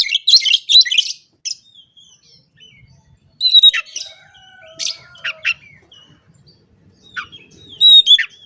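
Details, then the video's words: Oriental magpie-robin song meant to provoke rival birds. Loud bursts of harsh, scratchy chattering alternate with quieter thin whistles and brief, sweet rising and falling notes, all in a quiet setting. "KACER GACOR NGOBRA, Kacer Lain Pasti Langsung Emosi Buka Ekor Kalau Dengar Suara Ini"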